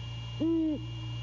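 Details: A single long, deep, even hoot from a male great horned owl during a late-night visit, 1:24 AM, January 6, 2022, recorded on a Skidaway nest cam near Savannah, steady hum behind it.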